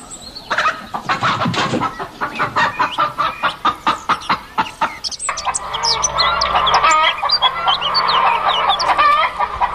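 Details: Farm chickens clucking in rapid, uneven bursts, then a denser chorus of overlapping clucks and squawks with a steady low hum underneath.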